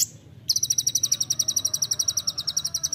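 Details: Olive-backed sunbird training recording for songbirds in the rapid 'nembak rapat' style: after a brief high note, a fast run of sharp, high chirps repeats about four times a second, steady and tightly spaced.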